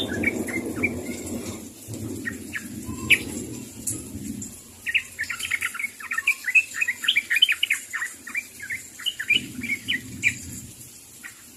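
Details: Sooty-headed bulbul calling to others: after a low rumbling start, a lively run of quick bubbly chirps and short warbled notes fills the second half, with scattered single chirps early on.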